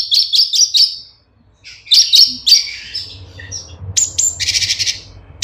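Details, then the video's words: Cucak cungkok bulbul song for training caged songbirds: a quick string of high whistled chirps, a brief pause, then slurred falling notes and a final buzzy, rattling chatter. "Suara Cucak Cungkok kualitas jernih, untuk masteran"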